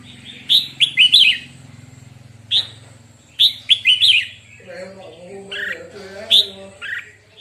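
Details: Red-whiskered bulbul singing during morning song training: bright, warbled whistled phrases in short bursts, each a quick cluster of rising and falling notes, separated by pauses, with a low hum and lower-pitched voice-like sounds midway.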